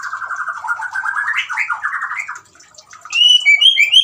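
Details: White-rumped shama singing, played to coax a silent caged shama into song: a long run of rapid buzzy chattering notes, then clear high whistles rising and falling.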